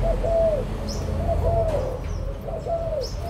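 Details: Recorded 16 March 2022, adult Spotted Doves from Malaysia and Thailand give drawn-out, arching coos in uneven pairs, with brief high tweets from other birds and a low background hum.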